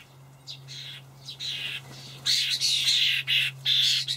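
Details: Juvenile common starlings begging as adults bring dried buffalo worms, Hamburg allotment garden, 28 May 2012: rapid raspy, buzzy screeches that build from thin calls into a near-continuous loud churring chorus, with a faint low hum beneath.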